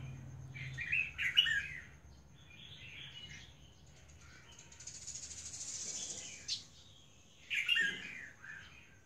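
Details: Albino female red-whiskered bulbul calling: three bursts of bright, warbling chirps early, mid and late in the clip, separated by quieter gaps filled with a steady thin high whine and a brief hissing rush.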